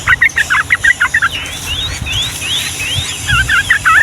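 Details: Yellow-vented bulbul (trucukan) in lively long rapid-fire song, the Ngombak Banyu style, used to tutor young birds: short bubbly chattering notes in quick bursts, then thin rising whistled slurs from another bird, then chattering again.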